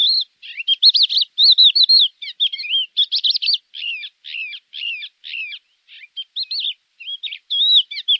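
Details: Javan bush lark song used as a tutor recording for caged birds: varied scratchy, warbling high notes in short bursts, some loud and some softer, running steadily with brief pauses and nothing else heard.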